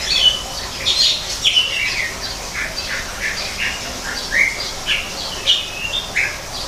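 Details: Greater green leafbird in an artificial-forest aviary giving a lively run of short whistles, slurred chirps and squawky notes, several each second, with faint hum behind. Finding: Greater green leafbird.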